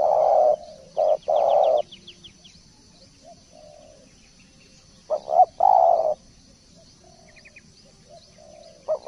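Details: Spotted dove, a 'masteran' tutor recording, giving loud low coos around 500 to 1000, short notes followed by long drawn-out coos in two phrases, with faint high chirping of small birds and a steady high hiss.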